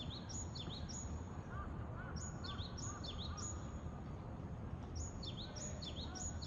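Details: Japanese tit in Japan repeating bright two-part phrases in several bursts, a high piping note followed by a down-slurred lower one. Another bird gives soft lower chirps midway, and a constant low rumble runs underneath.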